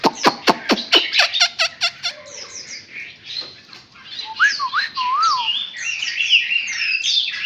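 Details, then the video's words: Newly caught wild Chinese hwamei filmed at close range: a run of sharp clicking ticks gives way to loud, rich whistled phrases with rising and falling slurred notes, varied and fast. "Cận cảnh quay họa mi bổi"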